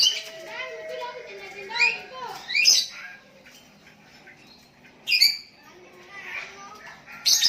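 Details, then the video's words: Sooty-headed bulbul calling to a rival as a lure while other bulbuls reply: clear whistled notes sliding downward, then sharp high chirps after a quiet gap and another at the end. "Burung Kutilang Memanggil Lawan pancingan,,dan Kutilang Lain Ikut nyahut"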